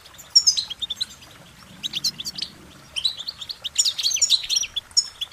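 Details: Goldfinch singing a lively run of short, high warbling and twittering notes in bursts with brief pauses between phrases, bright and musical, over a quiet background.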